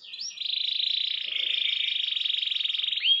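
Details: Canary song used to provoke rival birds: a single long, even, buzzing trill held for about three seconds, ending with a short upward note.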